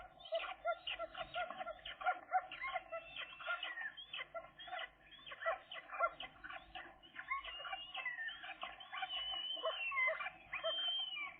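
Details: Two seagull chicks, thirteen days old, calling; dense overlapping chattering and squeaky notes run continuously through the recording, with rapid repeated syllables and occasional sharper rising squeals near the end.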